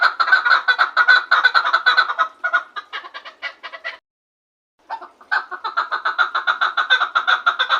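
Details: Chukar partridge in Gharm delivering two bouts of rapid rhythmic clucking, the first fading out, then a pause of under a second before a second loud, fast series resumes.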